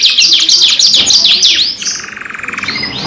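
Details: Two canaries sing a lure song: quick falling chirps about three per second, then a softer, even, rattling trill and a rising whistle at the end.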